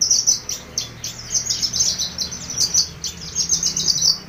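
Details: Horsfield's bush lark in full song, giving rapid high chirping notes repeated in short bouncy bursts several times a second, with a faint low hum beneath.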